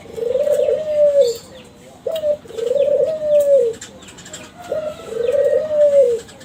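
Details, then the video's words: Kelantan zebra dove, a young captive bird of champion breeding, singing a lure song to set other doves calling: three long, swelling, slightly arched mellow coos roughly two seconds apart, each led by a brief hiccup. "SUARA DERKUKU KELANTAN TRAH JUARA PANCINGAN SUARA GACOR"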